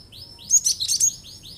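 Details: Cinereous tit in lively song, calling repeatedly to provoke other birds into singing: a quick burst of high, bright chirps clustered together, then thinner sliding notes trailing off, over a quiet background.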